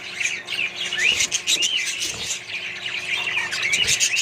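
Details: A colony of Australian budgies mixed with other birds. Busy warbling flock noise with clear rising and falling whistled chirps standing out over a constant high chatter.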